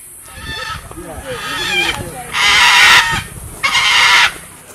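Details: Macaws at a Costa Rica sanctuary housing over 200 birds, including scarlet, blue-and-gold and green-winged macaws, noisy as tourists visit. Harsh raspy squawks, two long loud screeches, softer croaks, and a voice talking in the background.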